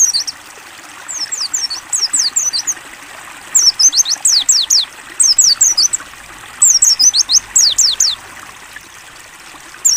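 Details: Mountain white-eye of the ngalas type singing clear open-beak phrases, three bursts of rapid, very high slurred whistles each lasting over a second with short pauses between, set over a constant soft water trickle.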